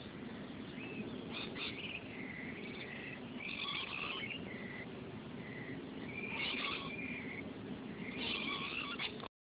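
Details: Rainbow lorikeets eating new blossom beside a golf course near Curtin University: short shrill chattering notes repeated in quick runs, broken by harsh screeching bursts, over a constant loud background hiss.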